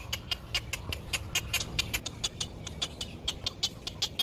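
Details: Baby great egret in a nest in sunshine, waiting for food from its mother: rapid, sharp ticking calls repeated several times a second in a steady chattering stream, over a low background rumble.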